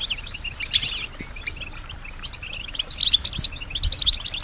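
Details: European goldfinch, a female, singing while hearing other sounds: sparse high tweets at first, building into dense twittering bursts of rapid liquid notes toward the end.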